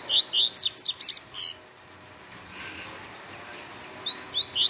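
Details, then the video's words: Double-collared seedeater singing the fast Tui Tui song style: a quick burst of about seven high, rising, slurred whistles lasting a second and a half, a long pause, then the phrase beginning again with three more whistles. "Coleiro Tui Tui rápido fora de série"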